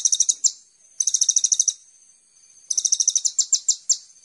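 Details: Short, very high sunbird trills in three bursts separated by pauses of about a second, each a rapid ticking series ending in louder chips; a master recording for training songbirds.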